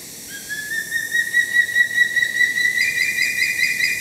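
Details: Juvenile Sulawesi hawk-eagle calling at Tangkoko Nature Reserve, Sulawesi, Indonesia, on 7 January 2017: one long, high whistled note that rises slightly and holds steady with a wavering tremolo, stepping up briefly near the end.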